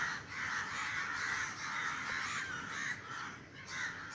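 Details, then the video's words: Large flock of crows cawing while flying over a garden in Sri Lanka after a neighbour fired a gunshot to scare them off; a dense, continuous chorus of harsh overlapping caws with no pause. "大量烏鴉叫👉烏鴉滿天飛預兆?烏鴉的啼聲🌴烏鴉 烏鴉叫聲 音效乌鸦叫 Crows Cawing ~ An Omen?"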